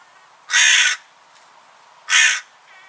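A crow gives two harsh, hoarse caws about a second and a half apart, the first longer than the second, against a quiet background.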